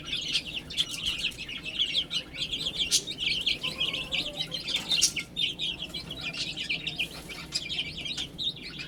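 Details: Several baby hens eating and drinking, keeping up a loud, crowded stream of high-pitched, short, downward peeps with scattered sharp taps throughout.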